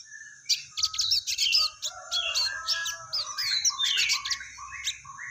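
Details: Crested jay, called sogon, singing in a lively 'materi full gereja tarung' style. A dense stream of sharp, high chirps and short buzzy notes overlaps with lower warbled phrases. The delivery is continuous and busy throughout.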